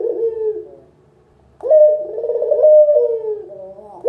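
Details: Spotted dove, local puter, used as a lure recording: a fading low coo ends, a pause follows, then a fresh phrase of rising notes and a long trembling hum-like coo.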